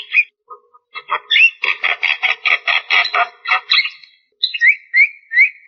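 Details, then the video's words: Javan myna in energetic song: a few opening notes, then a fast train of harsh grating pulses for about two seconds, a short gap, and several rising whistled slurs. "JALAK KEBO GACOR DURASI PANJANG TANPA BANYAK JEDA"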